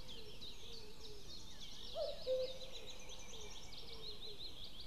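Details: Common cuckoo recorded at dawn, 05:53 on 12 May 2016, giving one distinct two-note cuckoo call midway, a higher first note dropping to a lower second, with softer repeated notes around it and a dense high-pitched chorus of other birds throughout.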